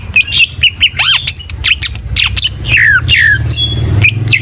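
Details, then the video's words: Greater green leafbird singing full gacor. Harsh squawking notes mix with loud swooping whistles over a steady low hum. "Suara Burung Cucak IJO FULL Gacor"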